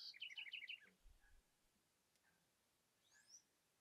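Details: Southern house wren (Troglodytes musculus) song in Amapá, Brazilian Amazon: a quick, bubbling burst of high, tumbling notes lasting under a second, then near quiet with one faint later note.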